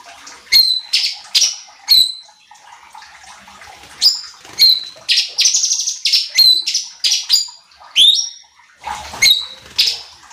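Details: Cucak cungkok bulbul as a lure to excite other songbirds: a lively string of clear, high whistles and sharp chips, some swept upward, delivered in quick bursts with brief gaps over ten seconds.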